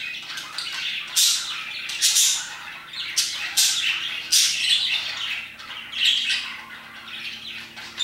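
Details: Parakeets in full voice around 2pm, sharp bright squawks and chirps coming in quick bursts roughly every second, each one harsh and rasping, with softer twittering filling the gaps between them.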